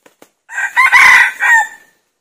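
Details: Red junglefowl crowing while a decoy is used to lure wild junglefowl: one loud, harsh, multi-part crow of about a second and a half, rising then breaking into a drawn-out falling tail, with a few faint clicks before it.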